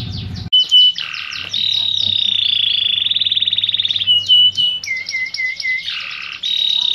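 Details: Canary in full song: rapid mechanical trills and buzzy rolls held for a second or more, broken by rows of quick repeated chip-like notes and a lower tour. It is loud and continuous, opening with a short low thump.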